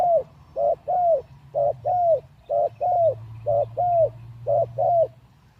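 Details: Captive spotted dove, out of the breeding cage for three days and not yet fit, calling: short mellow coos in quick pairs and singles, roughly one per second, over a steady low hum.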